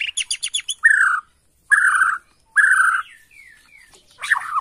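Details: Agitated Bornean white-rumped shama lure song: a fast stutter of sharp notes, then three harsh buzzy phrases about a second apart, soft thin whistles, and a final rough burst.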